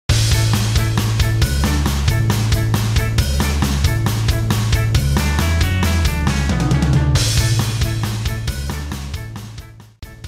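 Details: Loud rock music with pounding drums and heavy bass fills the whole recording, with no animal calls.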